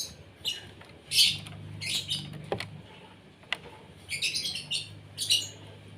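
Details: Asian pied starling (jalak suren) fed in the morning: repeated loud harsh bursts of chattering notes, roughly one every second, over a low steady hum.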